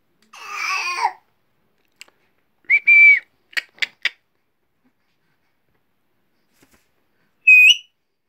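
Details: Pet Alexandrine parakeet indoors: a raspy voiced phrase, a sustained whistle, several sharp clicks, then a final bright whistled note.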